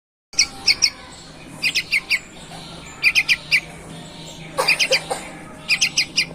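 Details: Sooty-headed bulbul, a promising young bird in full song: bursts of three to four sharp bright notes, spaced irregularly about once a second, over a low steady background hum.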